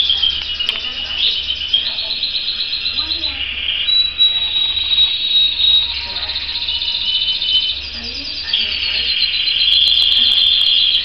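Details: Canary singing a long, unbroken high song of rolling trills and sustained shrill tones that shift in pitch every second or two, with faint low voices in the background.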